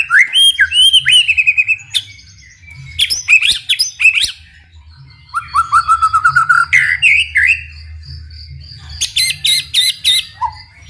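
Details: White-rumped shama in vigorous song, used to prompt other shamas to sing back: varied phrases of rich whistles, sharp chirps and fast buzzy rattles, with a descending whistled series mid-way and short pauses between bursts.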